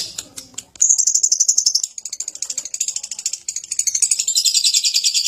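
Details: Lovebird ngekek, described as wild and unrestrained: after a brief murmur and clicks, a dense, shrill, fast-pulsed chatter that wavers and turns raspier and louder toward the end.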